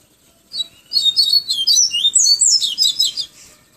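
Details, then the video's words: From Pero Vaz, Salvador, Bahia, a yellow-bellied seedeater's 'tui tui viviti flautado' song: a lead-in chip followed by a lively chain of high, fluty, sliding notes, steady for about two and a half seconds. "PAPA CAPIM TUI TUI VIVITI FLAUTADO"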